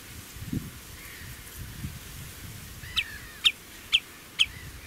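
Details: A common redshank perched on a post at the Oesterdam, Tholen, Netherlands, loudly alarming while defending its two chicks: four sharp, high piping notes about half a second apart, over low wind or traffic rumble.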